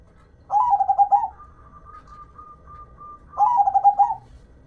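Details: Local zebra dove delivering its cooing song: two matching rolling phrases of rapid pulsed notes about three seconds apart, with a faint steady high whistle held in between.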